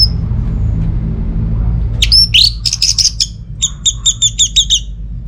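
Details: Orange-headed thrush, used to get quiet home birds singing: a lone high note, then a burst of slurred and buzzy notes followed by about eight evenly repeated double chirps.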